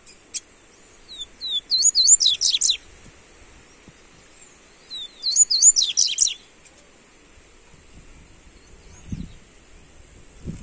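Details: Double-collared seedeater (coleiro) song used to warm up a seedeater: two rapid bursts of high, sweet, twittering notes, each opening with short rising whistles and then speeding into dense chirps, separated by quiet pauses with faint low rumbling.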